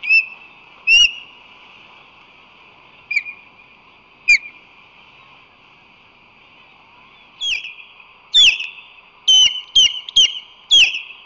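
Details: Osprey pair nesting on a crane at San Francisco Bay, April 28, 2024, during incubation; the male brings fish to the female and shares incubation duty. Short whistled chirps come in irregular bursts, speeding into a quick run of sharp repeated notes near the end, over a steady low hum.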